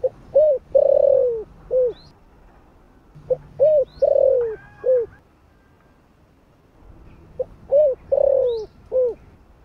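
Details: Cooing spotted dove in the 'thổ' voice style, kept to entice wild doves. Three repeated phrases, each a quick note, a short coo, a long rough falling coo and a last coo. Thin high bird chirps are heard occasionally.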